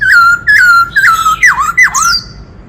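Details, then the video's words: White-cheeked laughingthrush from the forest in kích trống song, meant to rouse males: loud, harsh, nasal whistled notes, steady at first, then two deep dipping squawks and a high falling tail. "Khướu bạc má hót - Tiếng chim Khướu rừng hót kích trống - Chim khướu hót nhiều giọng hay"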